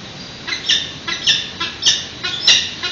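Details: Peregrine falcon chicks, about three weeks old, begging during a feeding at their San Francisco nest on a webcam, 13 June 2017 at 8:35 am: harsh, high squawks repeated roughly every half second.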